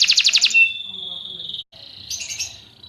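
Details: Fighting canary song for training: a quick burst of bright repeated notes followed by a steady held whistled tone, a brief gap, then a buzzy warbling phrase.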